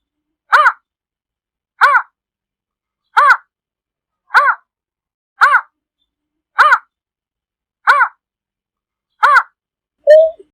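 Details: Greater painted-snipe flock-gathering call: eight short, hollow, slightly nasal hoots, evenly spaced about every 1.3 seconds, ending with one brief different note.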